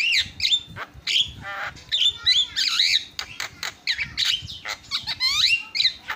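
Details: Javan myna (jalak kebo) in a fast, restless song of harsh squawks, clicks and bright rising and falling whistles, with barely a pause, a song used for tutoring and prompting other birds.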